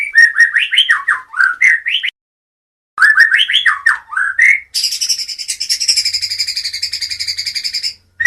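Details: White-rumped shama of the Medan type singing: rich whistled phrases sliding up and down, a two-second pause, more whistled notes, then a long buzzy, rapidly pulsed high trill lasting about three seconds.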